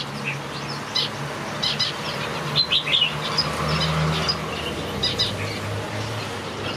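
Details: Finches singing in a backyard aviary: scattered bright high chirps, with a quick cluster of sharp notes near the middle, over a constant low hum.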